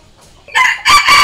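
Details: Part of a Red junglefowl decoy crow, used to lure and challenge wild junglefowl: two loud raspy bursts, the second longer and dipping slightly before rising again, over a quiet background.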